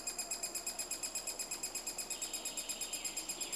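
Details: In Estonia during nesting time, a three-toed woodpecker gives a rhythmic train of high, buzzy pulses, almost three per second, steady and regular across the recording.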